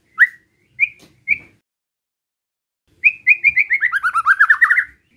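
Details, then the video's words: Relaxed besetan singing by a white-rumped shama, meant to provoke rivals: three short upslurred whistles, a pause, then a long rapid run of notes that dips lower and climbs back up. "Suara Besetan Santai Mancing Emosi Murai Lain | PANCINGAN MURAI BATU"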